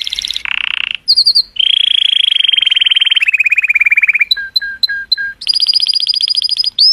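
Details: Color canary, a cheerful male singing to stimulate females: a rapid varied song of trills at different pitches, a long rolling trill, a row of short two-note chirps, then a high fast buzzy trill.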